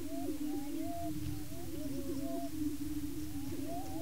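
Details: Male greater prairie-chickens displaying and fighting on a breeding lek in Washington County, Kansas: a steady low, hollow booming drone beneath short rising whoops and cackles, calling over one another.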